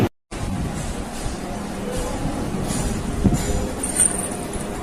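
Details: Steady music and traffic-like rumble fill the recording, with faint clinks and no animal voices.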